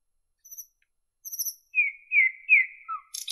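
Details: Nightingale song with soft high thin notes, a pause, then three loud slurred whistles, a lower note and the start of a harsh rattle.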